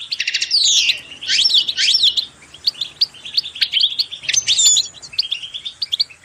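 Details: Singing goldfinch, used as a recording to motivate birds to sing: lively tinkling phrases of sweeping whistled slurs and rapid chirps, loud early on, then softer, choppier twitters.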